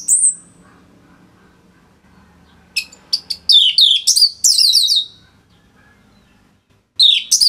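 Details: Orange-headed thrush from North Bali delivering dense song meant for training other birds: a lone high slurred whistle, then a quick run of sharp chirps and wavering looped whistles, quiet gap, a final burst.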